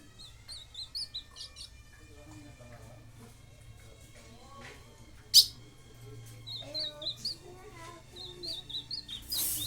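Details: Ultramarine grosbeak singing: short high whistled notes, some slurred upward, in quick loose phrases, pausing mid-clip then resuming, with a sharp click midway and a low steady hum underneath.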